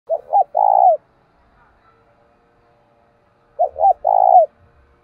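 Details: Decoy spotted dove cooing to lure wild doves, a 'giọng thổ' voice style: two short bent notes followed by a long, purring, trilled coo, the phrase given twice about three and a half seconds apart in silence.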